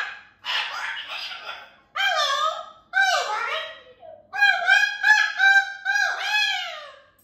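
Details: Pet cockatoo laughing and making funny talk with its owner indoors, hanging upside down: a series of harsh, raspy, nasal squawks and laugh-like bursts, each about a second long, with brief pauses between them.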